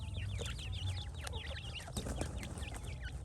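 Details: Francolin chicks keep up busy, high-pitched peeping: short downward-then-upward slurred notes, densely overlapping, with a few clicks and steady low background noise.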